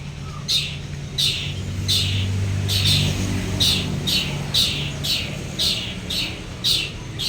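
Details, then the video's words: Two champion long-tailed shrikes, local Madura versus local Bojonegoro, side by side: loud harsh rasping bursts repeated about every half second to second, with a low engine-like rumble behind. "DUA JUARA BURUNG CENDET DI SANDINGKAN ,LOKAL MADURA VS LOKAL BOJONEGORO"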